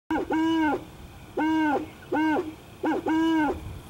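An owl gives four steady, mid-pitched hollow hoots, each about half a second long, spaced roughly a second apart against a quiet background.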